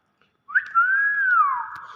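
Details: Common hill myna, described as clever and heard in its real voice, giving one clear whistle that rises sharply, holds steady, then slowly falls over about a second and a half. No other sounds are heard.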